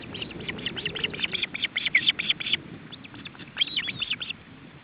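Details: Male osprey with his chicks at the nest during a feeding attempt, July 2012, Estonia: rapid series of sharp high chirping calls, repeated in bursts with a short pause, over a soft low background.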